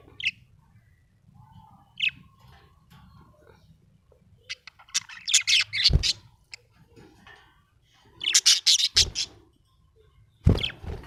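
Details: Happy budgie giving loud, harsh squawks and rapid chattering chirps in two busy bursts, with a few isolated notes between and sharp knocking or tapping sounds.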